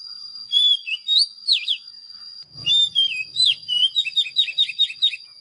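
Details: Oriental magpie-robin whistling sweet, sliding notes, looping down and up, then a faster series of short repeated chips, with a constant thin high tone behind and a brief low rumble.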